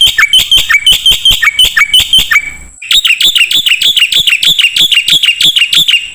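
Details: Training song of a black-winged myna for songbirds: rapid, bright, repeated notes in two long bursts separated by a short gap, loud and steady throughout.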